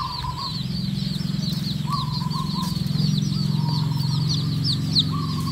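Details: Red junglefowl chicks feeding naturally as their hen leads them. Quick high peeps run almost nonstop, with a few short, steady mid-pitched whistled tones and a low droning hum beneath.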